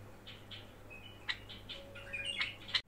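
A budgerigar gives short, bright chirps and a brief warble, copying a bulbul. A steady low electrical hum runs underneath.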